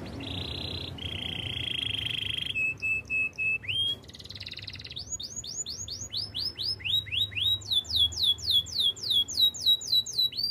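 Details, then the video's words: Spanish Timbrado canary performing training song: steady buzzy trills and a metallic roll give way to long runs of crisp rising-then-falling whistles, about four per second, growing louder toward the end. "Canary spanish timbrado song for training"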